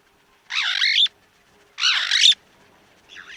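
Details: White-crowned starling, called Dhalacad in Somali, a bird commonly seen around houses, giving two loud, harsh, grating calls about half a second long, spaced over a second apart, then a fainter shorter third call in a quiet setting.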